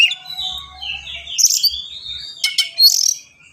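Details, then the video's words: Oriental magpie-robin, a fast, dense singer with sharp bursts, used as a lure so untrained birds sing and copy its song: long sliding whistles descending into buzzy, rasping trills, ending in a brief rapid rattle. "KACER GACOR SPEED RAPAT FULL ISIAN AMPUH UNTUK PANCINGAN BURUNG BAHAN"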